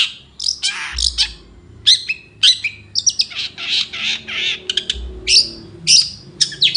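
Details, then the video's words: Morning song from a long-tailed shrike, mixing scratchy bursts, sharp chips and thin whistled notes in an irregular series, roughly a hundred notes a minute, with low rumbling noise behind. "Nyanyian cendet di pagi hari"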